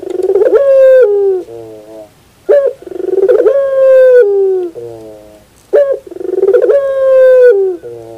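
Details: In the morning a puter, or Barbary dove, sings pelung style: a sharp short note leads into a long rich coo that slides down, followed by a lower throaty roll, repeating about every three seconds.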